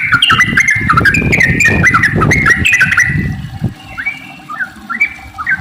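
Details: Yellow-vented bulbul in rapid, bubbling song for luring other bulbuls to sing, first dense and jumbled over low rumbling noise, then thinning to a few separate whistled phrases.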